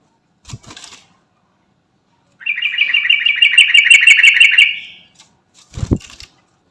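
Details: Sooty-headed bulbul calling to companions, a lure sound: a sustained, fast, even trill of bright chattering notes lasting over two seconds, framed by a couple of dull knocks.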